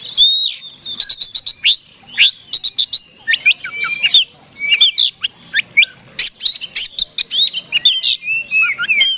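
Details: Provocative fighting song of an Oriental magpie-robin directed at a rival: bursts of sharp repeated chips, swooping slurred whistles and jumbled warbling phrases, vigorous and nearly continuous.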